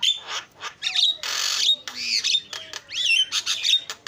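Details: Javan myna singing a fill-in style song, used as a lure to get other birds singing: harsh squawks and broad bursts of noise mixed with sharp rising and falling whistles, delivered in uneven loud phrases.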